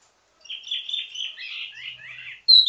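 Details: Wambi mini ledekan song, a teasing style with many variations used to train other birds of its kind: a rambling run of warbled, slurred notes after a short silence, ending in a sharp high whistle.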